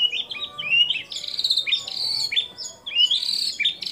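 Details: A white-rumped shama pours out mimicked song of other birds, including kapas tembak, cililin, lovebird and canary, meant to coach and provoke other shamas: loud, continuous rolling whistles and rising trills, broken by brief pauses.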